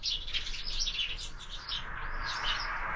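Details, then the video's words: Window-feeder sparrows at breakfast, fed all year; fast overlapping chirps over a rushing, whooshing background sound. "Воробьи в кормушке - Завтрак"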